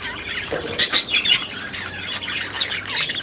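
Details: Aviary budgerigars give harsh, broadband squawks and squeals, with a few loud rasping notes standing out over a constant background of quick, high chirping from the flock.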